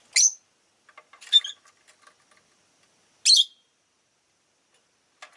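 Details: Pet rosy-faced lovebird giving three loud, shrill, harsh chirps, each about a quarter-second long and irregularly spaced, with softer faint chatter between; street noise such as cars, motorbikes and bicycles may be audible.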